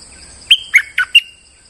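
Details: Bulbul lure song from a bird in moult: a single phrase of four clear, emphatic whistled notes, the third dipping lower, over a steady faint electronic hum.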